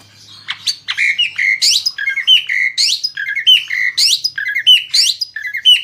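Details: Asian pied starling singing to coax other birds to sing: a repeated phrase of a short harsh note, a buzzy rising sweep and a downward slur, returning roughly every second.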